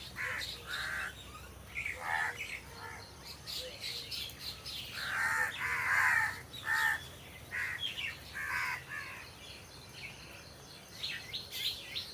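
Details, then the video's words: Crows in trees cawing loudly in rough, hoarse bursts, several caws in quick runs with short pauses, a strong cluster midway; faint high twittering of other birds behind. "Crow Sound Crow Ki Awaj"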